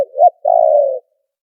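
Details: Spotted dove call for luring birds into traps, noise removed: a swelling hoot rising to a peak, a brief gap, then a drawn-out steady coo that fades slightly at the end.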